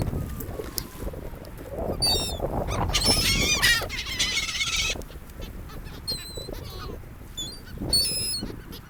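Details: Seagulls on a beach by the ocean, near people: a burst of harsh, strongly harmonic cries crowds together in the middle, with further short, scattered calls before and after over steady low wind and surf rumble.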